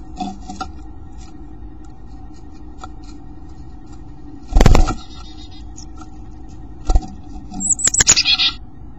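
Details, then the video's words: Very vocal chickadee heard close up inside a nest box on 19 February, calling to its mate in the distance: one high, thin note, then a quick run of buzzy notes, after a steady hum, loud thumps and scattered clicks. "Chickadee calling LOUD!"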